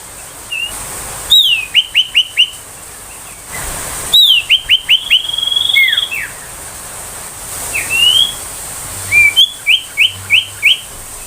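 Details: Ashy tailorbird 'tembakan' song, used to tutor magpie-robins and excite young tailorbirds: groups of four or five crisp downslurred whistles, each opened by a higher sweeping note, repeated with pauses over steady background hiss.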